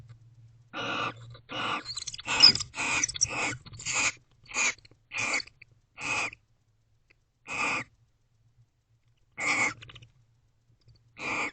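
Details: Wild barn owl pair sharing a nest box at night, 3:19 am on 29 November 2023, staying together and billing. About a dozen harsh, hissing screech bursts come in an uneven run, close together early and then spaced, over a faint low hum.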